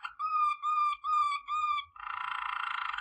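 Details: Waterslager canary singing for training: four sustained, deep, flute-like tones, each held about half a second, then a rapid bubbling roll that continues to the end.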